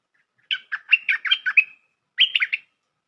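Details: Bulbul call played as a trapping lure: a lively, bubbly phrase of about seven quick warbled notes, then a shorter three-note phrase after a brief gap.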